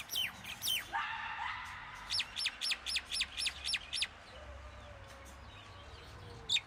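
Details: Common myna calling: a harsh, buzzy note, then a run of about eight sharp, downward-sliding chirps given roughly four per second. Other faint chirps and a low background rumble are also present.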